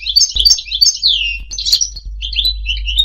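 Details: Song of a European goldfinch for courtship and song training: quick tinkling notes and downward slurred twitters, with a low background hum throughout.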